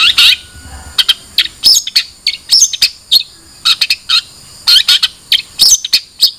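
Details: A long-tailed shrike gives a jumble of high chirps, short squeaks and sharp clicks in irregular quick bursts, some notes slurring downward, with short gaps between groups.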